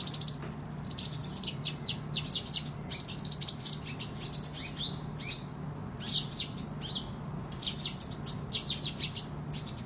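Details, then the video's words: Sunbird kept as a singing tutor bird, in full competitive voice: very high, rapidly varied chirps, clicks and short trills pouring out almost without pause, interspersed with brief thin whistled runs. "Kolibri Ninja Gacor Ngadu Bisa Buat Masteran"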